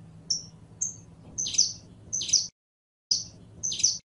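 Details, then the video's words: Canario criollo, the saffron finch, sings short high whistles that lead into buzzy trilled phrases, repeated about every second with brief silent gaps between. "CANTO DE CANARIO CRIOLLO CANTANDO"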